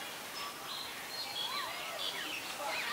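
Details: Common myna in Ubon Ratchathani, Thailand, on 26 February 2022, captured with a Nikon P1000: a quick string of varied arched and slurred whistled notes, some rising then falling, over steady background hiss.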